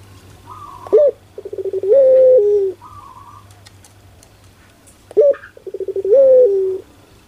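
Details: Puter dove cooing pelung style, two full phrases: abrupt high-pitched note, quickening pulses, then a long steady coo ending lower; quiet clicks and low hum between phrases.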